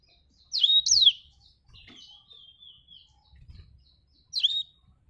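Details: Black-throated canary, called blacktrut jabrig and described as singing actively, giving two brief high sweeping twittered bursts separated by a thin, wavering sustained whistle, with quiet low rumbling beneath.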